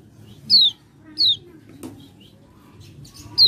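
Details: Common iora song used as a lure: clean downslurred whistles repeated roughly every three-quarters of a second, broken by a single sharp click, with another whistle at the end.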